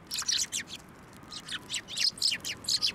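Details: Sparrows gathering to take food from a hand at a Tenmangu shrine on 21 December 2023: loud, dense, overlapping bright chirps in rapid bursts, barely pausing across three seconds.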